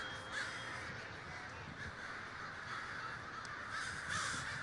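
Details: Crows massed in a big communal gathering at Davis, California; countless harsh caws overlap into a steady clamor that swells slightly near the end.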